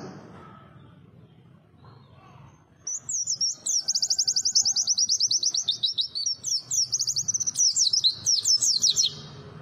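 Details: White-eye (pleci) singing: after a quiet start, a fast run of high, thin twittering notes, about three per second, wavering up and down for six seconds, over a faint low background hum.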